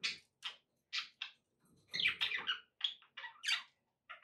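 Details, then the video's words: Budgerigars kept as pets giving short separate chirps, then a denser run of scratchy chatter, followed by a few more clipped notes, all fairly soft. "budgie sounds to encourage your parrot to eat and sing"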